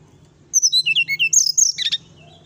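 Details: Brown-chested jungle flycatcher singing nyuling: a rapid phrase of about a dozen clear whistled notes sliding down the scale, ending in a brighter tangled burst, over a faint low hum.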